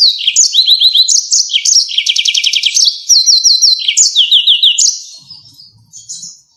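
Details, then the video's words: Yellow-fronted canary song in the 'ngerol nembak tajam' style, kept as tutor material for songbirds: fast bright trills and rows of rapidly repeated slurred notes, fading out at the end over faint low noise. "YELLOW FRONTED CANARY‼️ NGEROL NEMBAK TAJAM"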